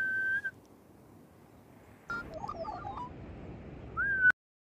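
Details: Magpie song with a clear sustained whistle, a pause, then soft jumbled warbling notes, ending on a loud upward-bending whistle that cuts off sharply.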